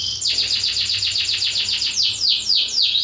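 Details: Black-throated canary trill used for training canaries: a fast even run of high, repeated down-slurred notes, slowing into a few wider sweeping whistles at the end.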